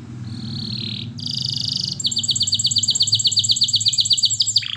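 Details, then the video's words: Canary song for training: a faint buzzy note, then a dense high buzz, then a rapid trill of bright repeated notes about thirteen per second, ending on a lower slurred note, over a steady low hum. "Canary Singing Birds Sounds at its best Melodies Canary Bird song Training"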